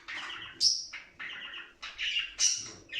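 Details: Mating budgerigars, meant to be played morning and evening to encourage other budgies to breed: clear chirped phrases alternating with sharp high squeaks, in four bursts over three seconds.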